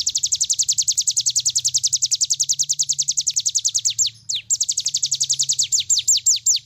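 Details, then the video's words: Cigun bird pouring out a long unbroken run of rapid high falling whistles, about six per second, for tutoring other birds; a short break near the end, then the fast series resumes amid a low background hum. "cigun nembak nembak cocok buat masteran"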